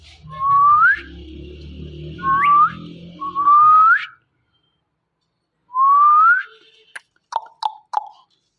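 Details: Indian ringneck parrots, a male and female pair, calling in the morning: four clear rising whistles, each sweeping up over about half a second, then a pause and one more whistle, with a few short clicks at the end.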